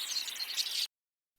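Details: Village Weavers in Cameroon, a noisy breeding colony where males weave nests and call for female inspection, give a dense, high, buzzy chatter of overlapping sizzling calls that cuts off after under a second.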